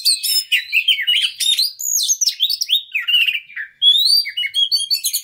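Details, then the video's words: Fast, fiery white-rumped shama song meant to provoke a fighting bird into singing, a continuous stream of loud whistles, slurred rising and falling notes and scratchy chatter with hardly a break. "KACER NGOTOT PANCINGAN KACER CEPAT FIGHTER BONGKAR ISIAN"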